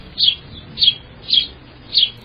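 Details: A sparrow, a wintering bird, gives four short, bright, high chirps spaced about half a second apart, over a faint low hum.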